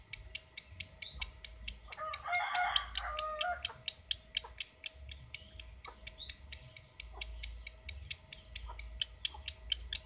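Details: Lovebird in ngetik style, a sound used to prompt long ngekek trills: rapid, high, clipped chirps repeated about twice a second, with a brief lower warbling burst near the start and faint background hum.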